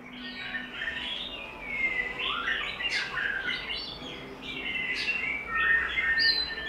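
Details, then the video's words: White-rumped shama giving wild-style song in an uncut recording used for training shamas: varied whistled and warbled phrases, some sharp upward flicks, set against a steady hiss of background noise and a low hum. "Chòe Lửa Hót Giọng Rừng"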